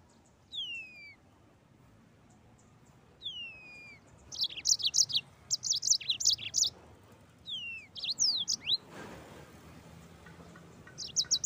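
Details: Mozambique canary, song in 'gacor ngeroll' style: clear descending whistles open, followed by clusters of sharp high chirps and slurs; a brief rushing noise breaks in near the end, with a soft low rumble throughout.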